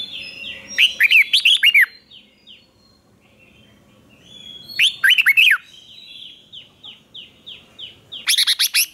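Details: A red-whiskered bulbul sings in the morning, loud bursts of bright, bubbling, warbled phrases separated by quiet pauses, recorded as training song to stir other bulbuls to sing and compete.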